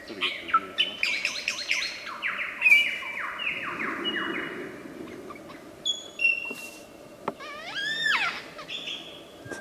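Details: Wild superb lyrebird in Australia, a mimic of other birds' voices, pours out a varied medley: rapid falling whistled slurs, stepped descending notes, high sharp chips and rising sweeps, with brief human voices murmuring underneath.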